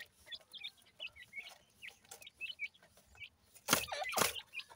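Francolin chicks peep busily, with thin, high, rising chirps about twice a second. Two loud, rough bursts of noise break in near the end.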